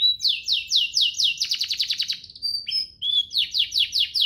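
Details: Canary singing a varied training song meant to tutor juvenile canaries and spur them to sing, with fast descending repeated notes, a quick rattling trill, a brief steady whistle, then renewed rhythmic downslurred notes.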